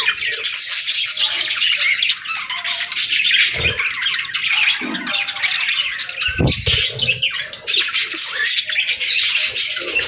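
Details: Pet budgerigars kept indoors, a flock chattering in dense, overlapping high chirps and harsh squawky notes throughout, with a few brief low thumps.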